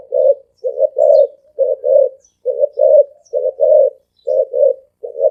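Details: Very fast spotted dove cooing in the 'thổ ồm vang' style: low two-note coos follow each other almost without pause, about seventy phrases a minute, evenly pitched and resonant.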